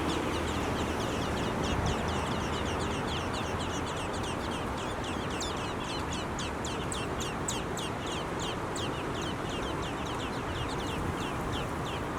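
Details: Baby birds begging while their mother feeds them: continuous fast, high, scratchy chips repeated several times a second throughout, over a constant low background hum.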